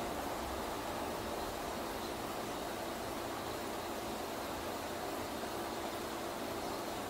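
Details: Even, unbroken hiss of static or fan noise across all pitches, with no animal voice.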